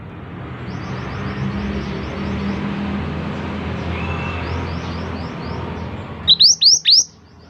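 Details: Scarlet minivet (mantenan) singing vigorously; faint rapid series of high thin notes through steady low background rumble, then four loud, sharp, downslurred whistled notes close together near the end.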